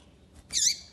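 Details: A quick, rasping high chirp sliding slightly downward, given by a female double-collared seedeater to encourage a male to sing, against a quiet low background.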